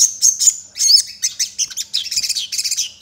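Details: Sogon, a sunbird, singing energetically with sparrow-like phrases woven in, used to lure other sogon into singing; dense, very high-pitched chirps and rapid twittering bursts, sharp and clipped, following a brief thin whistled opening.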